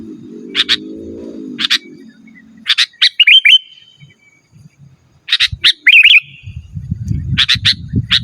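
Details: Energetic sooty-headed bulbul song for calling wild birds and tutoring caged ones: paired crisp chips followed by bubbly descending whistle phrases, repeated, with low hum and rumbling background noise.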